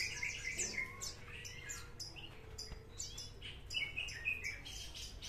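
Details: Bush lark (branjangan) of the parva type, a promising bird in trotol singing style, delivering rapid runs of varied high chirps and short whistled notes in dense bursts, over a steady low hum.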